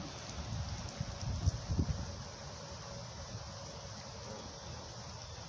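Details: Low rustling and handling thumps over a steady outdoor hiss, with no distinct animal calls.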